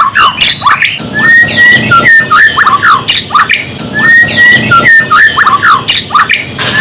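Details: White-rumped shama song to raise fighting spirit and emotion, made of loud, varied whistled phrases with slurred rising and falling notes. One phrase returns after a few seconds.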